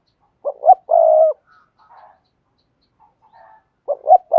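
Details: Spotted dove cooing in the "thúc gù" style, a recording used to train new doves to coo. Two quick hoots lead into a drawn-out low coo. Faint soft murmurs follow, and another phrase begins near the end.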